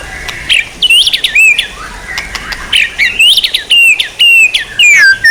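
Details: Song of a white-rumped shama, offered as training material for songbirds: bright high whistles and twisting slurred phrases broken by sharp clicks, in short bursts separated by brief pauses.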